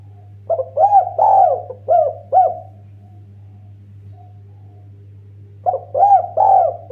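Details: Cooing song of a Eurasian collared dove used as a lure for other birds: a run of five mellow rounded coos, three seconds of quiet, then another phrase begins, with a constant low hum underneath.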